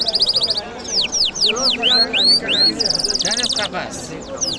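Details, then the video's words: Kabul city lark on a Friday morning: a rapid buzzy trill, then a series of clear, loud, downward-slurred whistles, followed by a dense high rattle and more whistles, with faint voices beneath. "Lark Singing"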